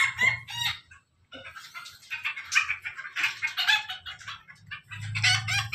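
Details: Crowing from Pelung and Ketawa chickens kept together, a dense overlapping run of bright, hoarse syllables with a low hum underneath, pausing briefly after the first second.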